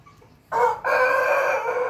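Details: Pelung chicken rooster crowing: after quiet, a loud harmonic crow starts abruptly, breaks briefly, then holds as a long, steady, ringing note to the end.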